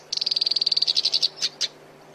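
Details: Black-browed reed warbler, used as a song model for cage birds, gives a quick rattling trill of even high notes that slows toward the end, followed by two separate sharp chips.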